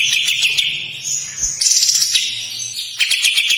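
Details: Kapas tembak singing a long harsh song, broken into rough buzzy bursts and scratchy high notes, the rattling phrases restarting after short gaps.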